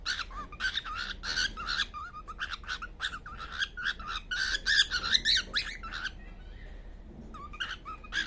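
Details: Sleeping baby cockatiel uttering dense runs of short chirping and squeaky notes for about six seconds, then a quieter pause before a few more whistled chirps, with low background hiss.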